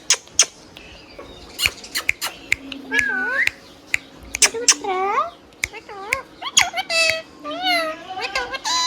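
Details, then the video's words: Pet green parrot talking amid sharp clicks and taps: rapid wavering speech-like syllables building into denser chattering phrases toward the end. "Green Parrot Natural Sound | Hand tame Parrot Talking video | Mithu Tote Ki Awaaz | Talking Parrot"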